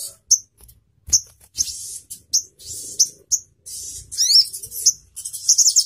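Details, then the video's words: Sogon, the crimson sunbird, giving 'nembak' song used as tutoring audio for Indonesian songbirds: separate piercing high chirps alternate with brief buzzy bursts, a quick slurred whistle and a closing run of rapid high notes. "Sogon Bakal langsung NYAUT, NEMBAK NGALAS || Nembak Tajam & Suara Jernih"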